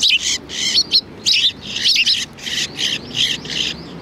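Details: At a Tenmangu shrine, sparrows that come for food on February 7, 2020 keep up a continuous overlapping chatter of scratchy chirps and twitters.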